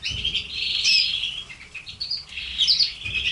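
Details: Several pet red canaries singing: bright, high trilled phrases and quick warbles that swell and fade, with a short sharp whistled flourish near the start and another near the end.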